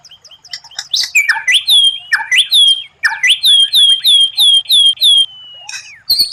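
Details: White-rumped shama (murai batu) tutor song with rare phrases said to impress rival birds in contests: fast series of sharp, high whistled notes, some upslurred, with a sustained level whistle between bursts, ending in quick chirps.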